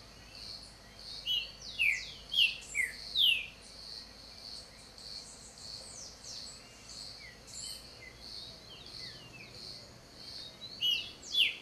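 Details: Green-winged saltator (Saltator similis) giving a run of clear, downward-slurred whistled notes, about one every half second, then a pause, over a steady high hiss of insects and other birds.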